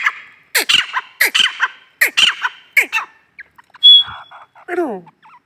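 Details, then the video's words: Female grey francolin gives about six harsh, rasping squawks at uneven intervals. A single thin whistle and a few softer, drawn-down notes follow. "desi teetar madi ki awaz"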